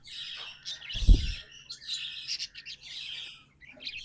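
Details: Pet budgerigars singing, with bright chirps and chatter in short bursts across the clip and a single dull thump near the first second.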